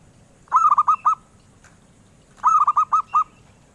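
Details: Zebra dove, a species collectors seek, singing a sweet rolling coo: two clear phrases of five or six quick, even, mellow notes, the second following close after the first.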